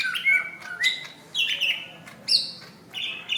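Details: Greater green leafbird fighting call, recorded May 2016 to teach other birds: five separate bursts of loud, clear whistles, some flat and some slurred, with squawky edges and short pauses between.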